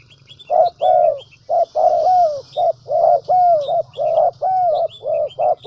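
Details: Spotted dove used as a decoy bird in the Central Highlands of Vietnam, cooing loudly: a steady run of low, mellow hooted notes, some with a short rising-falling inflection, delivered almost continuously, with faint high chirps from other birds behind.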